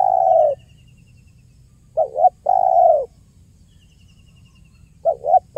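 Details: Spotted dove cooing in the 'kuk 1' lure style: a long coo, then two more phrases of a short double coo and a sustained coo, about three seconds apart, with faint high ticking.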